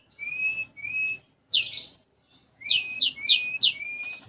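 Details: Konin sunbird song with learned sparrow fillings: two drawn-out level whistles, a harsh buzzy note, silence, then a quick run of four rising whistles ending in a thin trailing tone.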